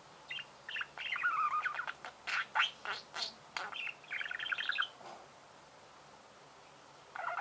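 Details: House budgerigar chattering: fast warbled phrases and clicks for about four seconds, then silence, and a last short squawk at the close.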